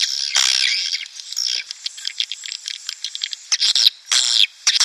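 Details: Swiftlets in a lure recording played to draw breeding swiftlets or colonies into a nest house: dense, high twittering chirps and buzzy bursts, rapidly repeated with irregular spacing, broken by short silent gaps near the end.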